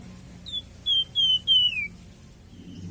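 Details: Captive-bird training recording of Flamboyan bird song: a series of four clear whistled notes, steady then sliding downward on the last, followed by a faint soft whistle.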